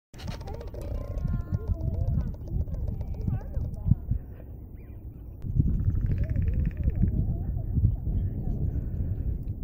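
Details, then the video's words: Northwestern crow standing on a branch at George C. Reifel Migratory Bird Sanctuary, making strange noises for no apparent reason, not directed at other crows: warbling, bending and gurgling notes over a heavy low rumble and human voices. "Northwestern Crow Making Strange Noises"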